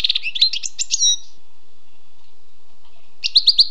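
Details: Wild European goldfinch singing: a quick run of high, tinkling twittered notes ending in a drawn whistle, a pause of about two seconds, then a fresh burst of rapid liquid chirps.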